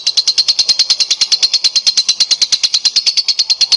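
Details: Continuous 'gacor' lovebird singing, a prompting recording for getting other lovebirds to sing: a steady, even stream of shrill, scratchy chirps, roughly three each second, without pauses.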